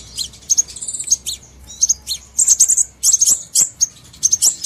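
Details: Crimson sunbird lure call for trapping: dense, very high twittering with sharp chips and short buzzy trills in quick succession, with a faint low hum beneath.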